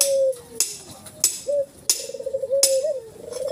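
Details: Dove cooing, described as white ivory turtle dove with black collar; sustained low hummed coos with wavering trill-like segments, interrupted by sharp clicking knocks throughout, indoor setting.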